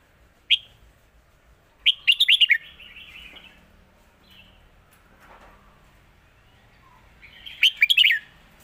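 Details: Red-whiskered bulbul singing the lak wai master song style: a single sharp note, then a bright phrase of five quick liquid whistles, a long quiet gap, and the same phrase repeated.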